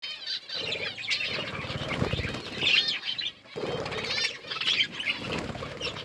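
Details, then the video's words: Pet budgerigars chirping while eating food: bursts of high, warbling chatter with scratchy twitters, over steady broadband rustling and crunching from feeding, with a short pause midway. "Parakeet eating food budgies chirping sounds"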